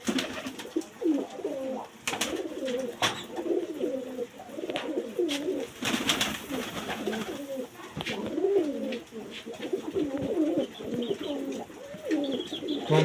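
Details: Native pigeons kept indoors as domestic birds, cooing steadily: low, throaty rolling coos repeated and overlapping through the whole stretch, with a few sharp knocks and clatters in the room.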